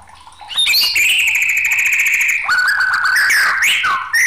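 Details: An excited white-rumped shama in full song: rising whistles lead into a long rapid trill, then a falling whistled phrase and quick upward-sweeping notes.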